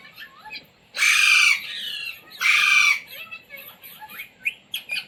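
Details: Indian Ringneck parrot, a pet taught to talk, repeating the words "mummy", "mitthu" and "roti roti"; two loud harsh screeches dominate, followed by softer chattering syllables and short squeaky notes.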